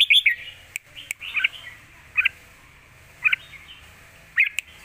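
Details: Red-whiskered bulbul, a caged bird, giving forceful 'lak wai' style song used as a model for young birds. Crisp whistled two-note phrases repeat about once a second, with faint clicks in between.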